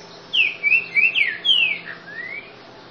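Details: Ultramarine grosbeak, known locally as trinca-ferro grego boca mole, singing a short phrase of clear whistled notes, some sliding down and the last one rising, a series of six within about two seconds.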